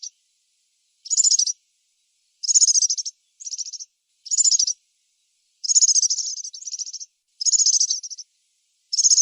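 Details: European serin in the wild giving its song: brief, very high, tinkling and buzzy trill bursts repeated with pauses of about a second, clean and clear.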